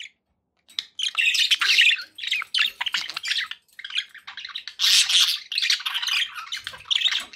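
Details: After a moment of quiet, pet budgies break into dense, scratchy warbling with squawks and rapid tweets overlapping throughout.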